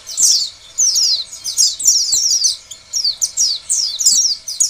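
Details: High, excited warbling of an Oriental white-eye used to lure other white-eyes into singing; rapid down-slurred notes tumble in quick bursts with brief quiet spells.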